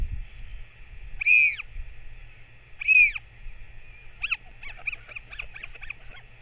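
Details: On 21 May 2024 a Northern royal albatross parent feeds its chick. Two strong arched calls come one and a half seconds apart, then a quick series of short high chattering notes, all over a steady hum.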